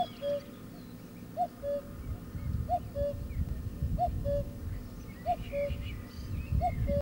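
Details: Cuckoo repeating its two-note cu-coo call about every 1.3 seconds, a short higher note dropping to a level lower one, five times in a row, against constant low-pitched background noise.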